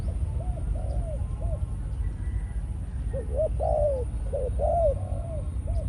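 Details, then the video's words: Decoy spotted dove of Malaysian type, caged and conditioned into breeding mode. Sparse soft coos open, then a livelier phrase builds with a long, bright, falling coo and repeated short notes. A steady low hum continues throughout. "Chim cu gáy mồi"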